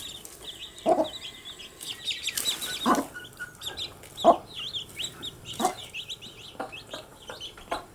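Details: Several baby chickens during daily activity, giving scattered high, short peeps in loose runs, with a few loud thumps and clicks spaced across the recording.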